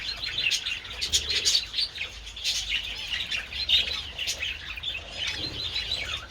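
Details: Budgerigars feeding on treats in the sun, 27 February, chatter steadily in high-pitched warbles and quick chirps, several birds overlapping, with brief wing-flapping sounds mixed in.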